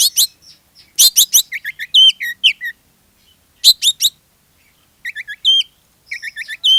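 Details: Lure song of an Oriental magpie-robin meant to get others singing: loud grating bursts alternating with crisp whistled zigzag notes and clicks, phrases repeated after brief silences.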